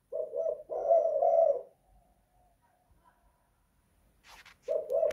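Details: Spotted dove in a house delivering a two-note then long coo phrase, followed by quiet, a brief rustling noise, and another coo starting.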